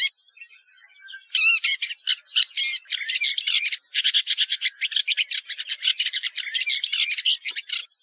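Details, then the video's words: Woodchat shrike song: a few thin notes, then from about a second in a dense, scratchy chattering run of rapid buzzy and whistled notes that continues without pause to the end; no other sounds. "Canto del Alcaudon Común"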